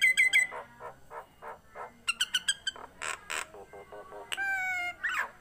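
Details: Tame Nias hill myna singing: pure whistled notes, some held steady and some bending downward, interspersed with hoarse, broad squawks and a few quick clipped calls.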